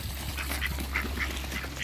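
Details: Mallard and Pekin ducks, two couples in a backyard, give a quick run of short, nasal quacks, several in under two seconds, over a steady low hum.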